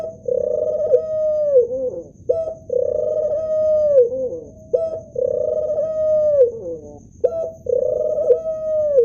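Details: Repeated cooing of a male ring-necked dove. Each phrase starts with a brief note, swells into a long, even, mellow coo, then drops and wobbles at the end, roughly every two seconds, against a quiet background.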